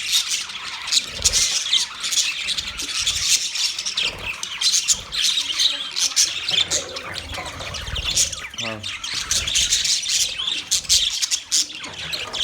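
Budgerigars chatter steadily with high, scratchy chirps and squawks overlapping in a busy stream.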